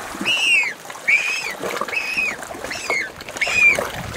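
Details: A begging Galápagos penguin fledgling, fed by a parent, repeats harsh, braying squeals. Each squeal arcs up and then falls, coming roughly every 0.8 seconds in an insistent series, with faint water noise behind.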